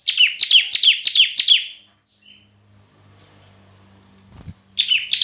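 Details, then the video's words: A red-whiskered bulbul in competitive singing gives five quick, falling whistled notes, then a pause with a low hum and a soft knock before the rapid notes resume. "Chào Mào Hót Đấu"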